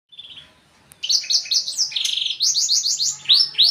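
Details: Black-throated canary singing: after a short faint note, a rapid run of high, sharp chirps and trills from about one second on, dense repeated downslurred notes and a buzzy rattle, very high-pitched throughout.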